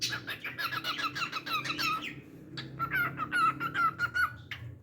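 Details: Pet cockatiel singing a rapid run of repeated chirpy notes, a brief pause, then a series of clear level whistles broken by short chirps.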